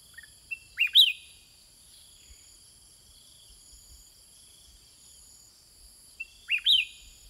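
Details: Two quick upward-swept whistled bursts, roughly six seconds apart, from a sooty-headed bulbul singing in reply to wild birds, with droning insects throughout.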